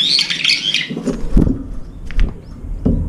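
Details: Brown-eared bulbul at a window feeder where two or three birds gather around the food bowl; a loud, harsh, squealing call opens, followed by dull thumps and scraping from activity at the dish.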